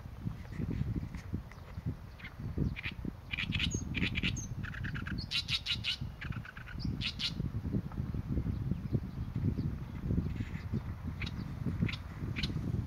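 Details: Oriental reed warbler song: scattered grating notes and short chattering phrases, partly masked by heavy low-pitched rumble throughout.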